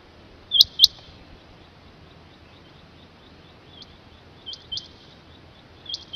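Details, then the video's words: Rain quail gives two sharp, high, clipped notes in quick succession, then softer paired notes, over a steady faint background hiss. "เสียงนกคุ้มอกดำหรือนกคุ่มอกดำ Rain Quail"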